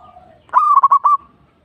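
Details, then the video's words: Local zebra dove uttering one short burst of four quick, mellow staccato coos at an even pitch, with soft cooing just before it. "Suara Burung | Perkutut Lokal"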